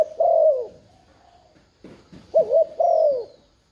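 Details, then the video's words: Lure-calling spotted dove: a long mellow coo, a pause with faint knocks, then a quick double coo followed by another drawn, falling coo. "Tiếng chim cu gáy thúc gù kích mồi mở lên bổi gáy liền"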